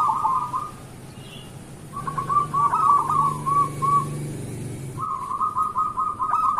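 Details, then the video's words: Local zebra dove singing in the morning, a lure recording to prompt other zebra doves to sing: three rapid, rolling cooing trills, each one to two seconds long, separated by pauses, over a low steady hum. "Perkutut lokal gacor pancingan untuk pagi hari"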